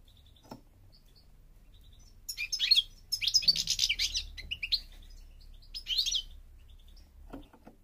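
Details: Song of a North African European goldfinch, parva subspecies, in Morocco. A lone faint note, then a burst of fast, high, jangling twitters for about two seconds, a brief liquid phrase, and a final soft note over low background hum.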